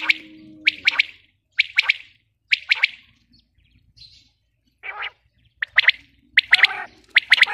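A female common quail gives sharp, high chirping notes in quick pairs and triplets, pausing between bursts, with a faint low hum at the start.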